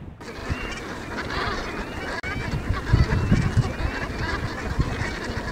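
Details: A meadow full of geese on the Dutch island of Ameland: a dense, overlapping chorus of honks from many birds, with wind rumbling low underneath throughout.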